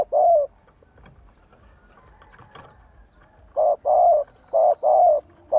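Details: Spotted dove used as a lure bird, singing to draw wild doves to reply: one hollow coo, a quiet pause with faint rustling, then a quick string of four deep coos.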